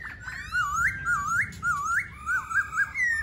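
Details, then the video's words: Laughingthrush singing, likely indoors: a run of clear, looping whistled phrases that rise and dip, each about half a second long, repeated steadily with short breaks between them. "Khướu Hót"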